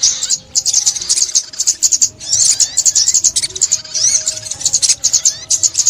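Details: Sunbird (ốc mít) recorded during bird trapping in 2021, giving rapid, high-pitched chattering song of dense twittering notes with quick up-and-down slurred whistles, broken by brief pauses.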